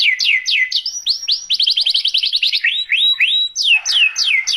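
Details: Canary singing vigorously for tutoring and luring other canaries: falling whistled sweeps lead into a fast tight run of short notes, then several rising slurs and more descending sweeps.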